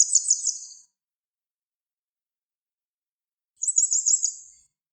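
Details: A grey wagtail sings, giving two short bursts of very high, sharp, rapid trilled notes, about three seconds apart, with near silence between.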